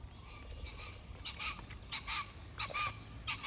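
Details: Pheasant calling among wild birds on 25 October 2024: a series of harsh, broadband, honking bursts, several paired, repeated roughly every half second to second, over a faint low rumble of background noise.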